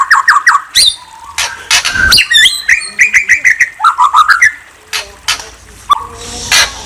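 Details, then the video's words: A white-rumped shama (murai) sings a fast, varied string of rich whistles, sweeping slurs and harsh chattering notes, phrases changing every second or so. "Murai Bird Chirping"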